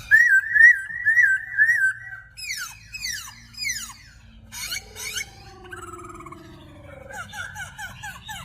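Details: Birds singing: a wavering whistled phrase repeated three times, then a run of descending slurred chirps and buzzy notes, with a faint low hum underneath.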